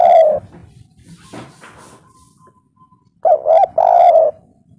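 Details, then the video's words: Spotted dove in the local three-beat "kuk 3" style, used as a calling lure: a mellow coo, a quiet gap with faint noises, then a rounded two-part coo and a longer drawn coo. "derkuku kuk3 lokal gacor suara empuk untuk pancingan langsung nyaut"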